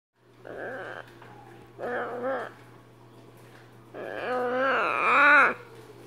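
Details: Baby Catalina macaw crying at night gives three nasal, wavering whines, the last longest and loudest, over a steady low electrical hum.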